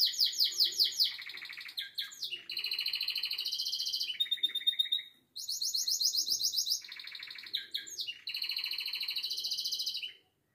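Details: Canary singing: bursts of fast high trills and long rolled tours, separated by brief pauses, in a quiet setting.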